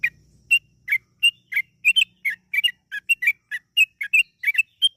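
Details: Yellow-vented bulbul giving long, rapid gacor ropel song as a singing lure: faint low hum at first, then a lively, unbroken series of bubbly two-note whistles.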